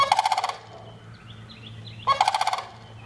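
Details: Sandhill crane giving two loud, rolling, rattled bursts about half a second each, separated by a quiet gap of roughly one and a half seconds, with faint high twittering and a low steady hum in the background.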